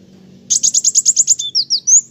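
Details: Olive-backed sunbird (kolibri wulung, kowul), singing actively: a run of about ten rapid, very high buzzy notes, then a few thin whistled slurs that climb at the end.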